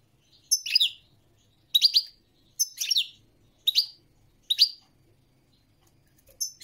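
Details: European goldfinch song: short bright twittering bursts, high and tinkling with quick downslurred notes, repeated roughly every second with silent gaps between, quiet background.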